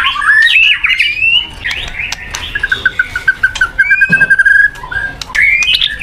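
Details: A white-rumped shama sings a rising whistled phrase, then a long steady run of short repeated notes at one pitch, ending in a sharp upward whistle.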